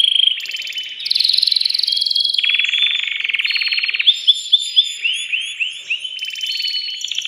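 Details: Excited caged male canary singing to stimulate a female for mating, also used for tutoring chicks: high buzzy rolling trills and sustained tours, then a run of arched, slurred whistled notes around the middle, closing with rapid rattling rolls.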